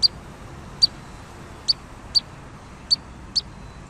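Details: Pygmy nuthatch uttering six isolated high piping notes, sharp and clipped, spaced unevenly roughly every half second to second, with faint background hiss.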